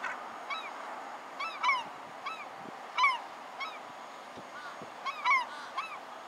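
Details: Young slaty-backed gull giving scattered, thin arched call notes, singly or in quick pairs, at irregular intervals against a quiet background with faint knocks.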